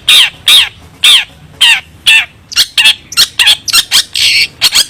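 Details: A long-tailed shrike (Lanius schach) sings actively with varied phrases: harsh, rasping notes about every half second, then quicker, varied chattering phrases.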